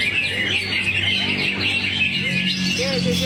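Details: Cucak hijau, the greater green leafbird, as a kept bird pouring out song material while swaying: rapid, high, jumbled whistled notes running without pause, with faint human voices low in the background.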